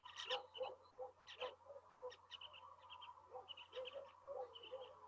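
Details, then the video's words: Andean parakeets, whose calls are described as shriller than other parakeets, give harsh chattering screeches in quick, uneven bursts, several voices overlapping, over a low steady electrical hum. "los sonidos clásicos de un periquito son más chillones, ¿no?"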